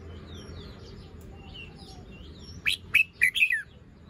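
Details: Fluffed, moulting red-whiskered bulbul with a drooping crest showing its song phrasing in the morning; after soft distant twitters comes a single bright phrase of four rapid, rolling whistled notes.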